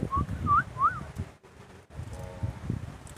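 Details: Javan myna at a gathering, giving three clear whistled notes with wavering, rising-falling shape in quick succession, followed by a pause and a lower, harmonic-rich note, over low rustling and background noise.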